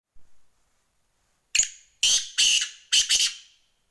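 A black francolin gives a harsh, grating phrase of five loud, raspy notes in quick pairs over about two seconds, after a short faint knock.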